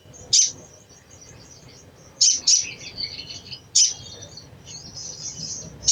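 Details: Crimson sunbird giving a chattering call meant to stimulate other sunbirds to sing: three sharp, very high chips spaced about 1.5 seconds apart, with faint thin twittering running between them over low background hum.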